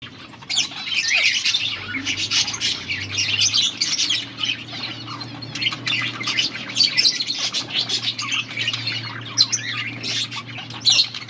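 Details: Budgerigar breeding pair giving mating calls, recorded August 16, 2024: dense, continuous scratchy warbling and chirping chatter with quick squawky notes throughout, over a steady low hum.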